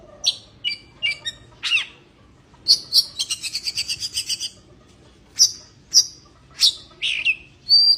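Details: Oriental magpie-robin in breeding condition sings clipped high notes, then a fast rattling trill lasting over a second, followed by spaced sharp downslurred chirps and a final whistled note.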